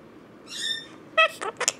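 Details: A pet Monk parakeet (Quaker parrot), which was being taught to sing Happy Birthday and says phrases like "Where's Cookie?" and "Give us a kiss", gives a bright, harmonic speech-like phrase, then a few short smacking kiss sounds.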